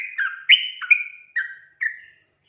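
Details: Sooty-headed bulbul, gacor lure song for prompting untrained birds to sing: a brief phrase of four or five clear, slurred whistles, some falling, spaced about half a second apart, fading out at the end.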